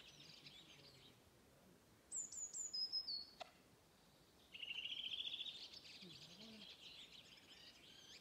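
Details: A Redwing (Turdus iliacus) sings its local dialect on Åstholmen, 29 May 2021: a short run of about six clear, descending notes, then a fast rising twittery trill, with faint chatter from other birds behind it.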